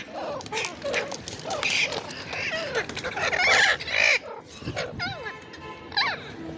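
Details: Ringneck parrot calling: a run of harsh chattering notes, then clear whistled calls that sweep up and down, several in quick succession over a few seconds, above low background noise.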